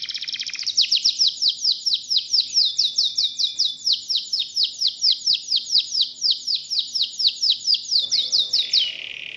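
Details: Local domestic canary singing a long, even trill of quick high descending notes, about two per second at first then steady, ending with a short falling whistle.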